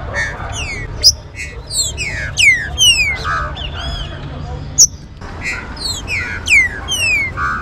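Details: Green-winged saltator warm-up song for rousing captive birds: repeated loud whistled phrases gliding downward, with short sharp clicks and a layered chorus of whistles over a low hum.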